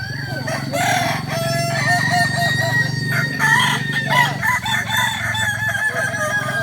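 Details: Balenggek crowing chickens in training at Ampang Kualo, Solok, several roosters crowing at once in long overlapping harmonic calls, with a steady low hum throughout.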